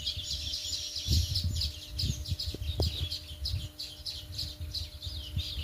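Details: Sparrows calling, a steady stream of short, bright chirps repeated several times a second over constant low rumbling background noise.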